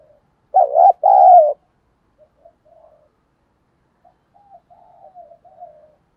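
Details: Spotted dove cooing to goad a fight: one loud phrase of a short wavering note followed by a longer throaty one, then a run of soft, faint trailing coos.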